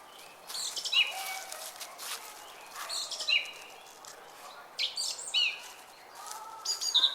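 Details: Several small birds in a park sing high, brief chirps and trills in bursts every second or two, over a steady hiss of distant background noise.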